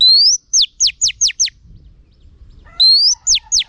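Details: Caged female oriental magpie-robin singing in a drumming style: a rising whistle followed by four crisp descending strokes, a pause, then the same rising whistle and two more strokes, loud and clean.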